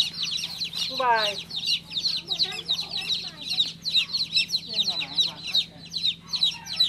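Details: A newly hatched baby chick chirps constantly with high, thin peeps, roughly three each second. Lower wavering chirps sound now and then beneath them.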